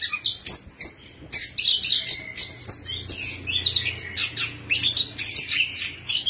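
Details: Orange-headed thrush singing as a lure to get a quiet bird to sing: dense, rapid high chirps and twittering notes in quick bursts, with short whistles between them, over a faint low hum.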